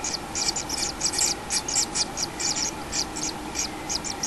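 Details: In a common kingfisher nest with a chick, 6 July 2016, dense rasping high bursts pulse rapidly several times a second, scratchy and insistent, over a faint hum.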